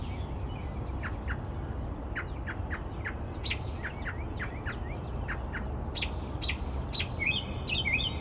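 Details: At 4 am in Texas, a northern mockingbird sings in the dark outside a window, starting with a run of short, evenly spaced chirped notes and breaking into louder, harsher clicking bursts and sweeping phrases, against a low background hum.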